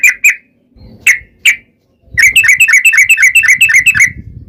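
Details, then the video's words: Yellow-vented bulbul delivering a long rapid 'ropel' song used as a lure to make other bulbuls answer; a few separate sharp chips, then a quick steady string of about fifteen ringing notes. "KICAU SUARA trucukan gacor ROPEL PANJANG pancingan trucukan agar bunyi"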